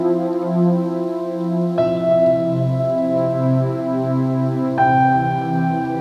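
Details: Gentle ambient keyboard music with sustained chords that shift twice, and no animal calls.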